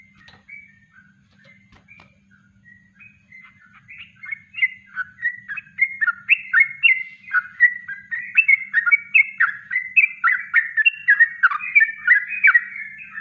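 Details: Yellow-vented bulbul in natural song used as a training master: a few soft scattered whistles at first, then building into loud, dense, bubbling warbled phrases that run continuously to the end.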